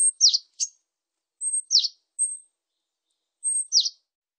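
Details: Japanese tit calling with a very high thin whistle followed by a quick downward-slurred note. The phrases come irregularly, with a few extra high notes between them, in an otherwise quiet setting.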